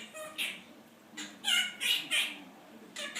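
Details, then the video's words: Pet male Quaker parrot indoors mimicking its owner's complaints about work, picked up by listening to people talk rather than taught; a few raspy, speech-like syllable bursts with breaks of quiet between them. "Quaker Parrot.. AKA little recorder!!"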